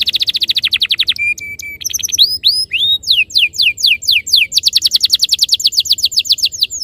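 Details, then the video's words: Canary master song for luring canaries into rolling song: a rapid buzzy roll, short flat whistles, rising hooked notes, then long series of descending slurs and a fast steady roll. "Suara mastetan burung kenari _ PANCINGAN AMPUH KENARI BIKIN CEPAT BUNYI NGEROL GACOR"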